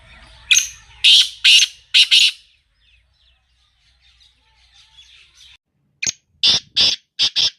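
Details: Black francolin calling in the morning: two harsh, grating phrases of four to five rasping notes each, about five seconds apart, with quiet gaps between.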